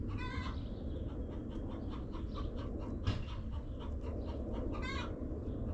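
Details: Backyard chickens in their coop. A short, bright, harmonic squawk opens the clip and another comes near the end, with soft clucks scattered between them over a steady low rumble.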